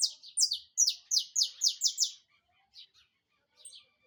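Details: Saffron finch, locally canário-da-terra, firing off its song: a fast run of about eight loud, buzzy, downward-slurred high notes, followed by a few softer scattered chirps and brief quiet gaps.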